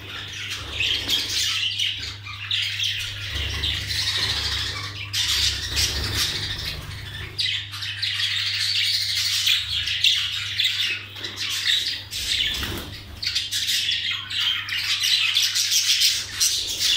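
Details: First-clutch young budgerigars from colony breeding keep up a dense, raspy chorus of squawks and chirps.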